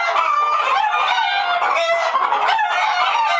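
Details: A flock of agitated hens inside their coop, clucking and squawking together in a constant noisy jumble of harsh, wavering cries.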